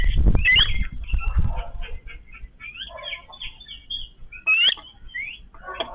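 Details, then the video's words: A family of Yellow-billed babblers feeding together gives bursts of chattering, squeaky notes and short rising whistles. Scuffling, thumping handling noise is heard near the start. "Family of Yellow-billed babbler eating in harmony"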